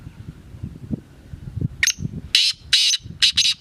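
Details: Black francolin, known locally as kala teetar, giving its harsh call: a short sharp opening note, then four loud grating broadband bursts in quick succession near the end, over low background rumble.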